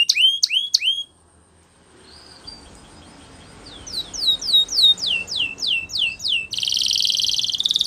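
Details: Spanish Timbrado canary training song: three loud downward-swept notes, a quiet pause, a run of descending swept notes repeated about twice a second, ending in a dense high buzzing roll.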